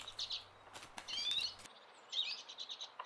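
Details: Redpoll by the river Svartån in Västerås, Sweden, giving faint high buzzy chirps and short twittering trills in loose groups, with light background rumble early on.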